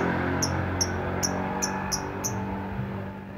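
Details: Lovebird singing in the ngetik (typing) chirp style: six short, sharp high ticks at an even pace, roughly three per second, over steady low background hum.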